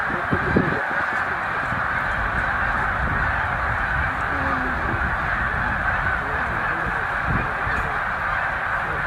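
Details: Migrating snow geese, a flock of roughly 100,000 resting at Middle Creek wildlife refuge on the way to Arctic breeding grounds, their massed honking a steady, even clamor throughout.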